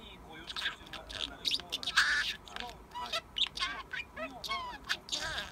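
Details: A pet parakeet mutters soft sleep-talk, often the Japanese word "tsukareta" ("tired"), likely picked up from its owner. Quick, scratchy warbles and chirps with little whistled squeaks tumble along without pause in a quiet room.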